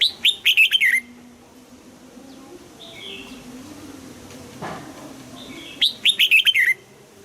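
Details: A caged red-whiskered bulbul sings two bursts of quick warbled whistles, one at the start and one near the end, with a faint whistle and a low hum between them.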